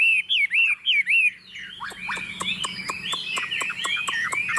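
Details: A tame Chinese hwamei (Garrulax canorus), set on a table, sings confidently: loud, rich whistled phrases, first a few repeated upslurred notes, then a fast varied run of slurred whistles and sharp chips.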